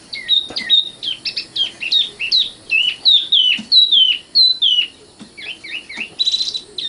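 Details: Common nightingale in continuous song: a steady stream of crisp whistled notes, many dropping in pitch, repeated roughly twice per second with slight variations. A brief raspy flourish comes near the end.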